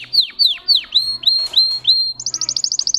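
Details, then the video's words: Russian canary, a domestic breed kept for singing, in song: six clear descending slurred whistles roughly every third of a second, then a rapid high rolling trill of quick repeated notes, over a faint low hum. "Red trees Canary Singing"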